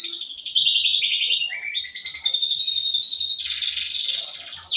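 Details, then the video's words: Canary singing with trained fill-in phrases, in full song with high and low parts: continuous high rolling trills and buzzy warbles, shifting pitch, with faint low thumps beneath. "suara kenari isian LB dan cililin full gacor atas bawah."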